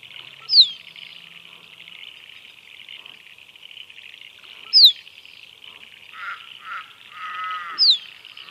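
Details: Three short, piercing downslurred whistles from a musk duck, roughly every three and a half seconds, over a constant high buzzing background, with faint softer calls between them.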